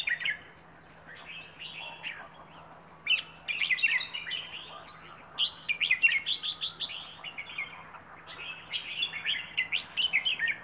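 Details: Wild bird from Rayong, Thailand, singing in the song style called "plai ho": bursts of rapid chattering, warbled notes in quick clusters separated by short pauses, with a steady faint low hum underneath.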